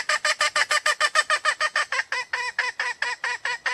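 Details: Red junglefowl, a wild female, keeps up a fast run of harsh, nasal cackling clucks at a steady pace, the later notes slightly longer and wavering.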